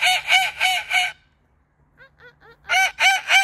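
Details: Pet Moluccan cockatoo visiting a park in summer, making joyful sounds and greeting friends: loud, harsh, rasping squawks in quick runs of three or four, a short pause with faint softer notes, then another rapid squawk series.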